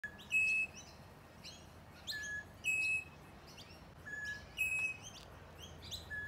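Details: A rainbow lorikeet hides in eucalyptus branches in the eastern suburbs of Melbourne, moving actively. It gives short, flat whistled notes mixed with high, sharp chirps, in bursts about every two seconds over a faint background hiss.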